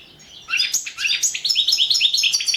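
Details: European goldfinch singing for a 2017 online world championship: after a brief quiet start, a rapid run of bright, twittering and jingling notes, steady and loud to the end.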